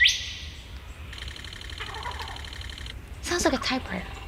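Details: Male Superb lyrebird (Menura novaehollandiae) mimicking a camera as part of its courtship song: a sharp rising click, then a rapid, even run of shutter clicks for two seconds, before voices cut in.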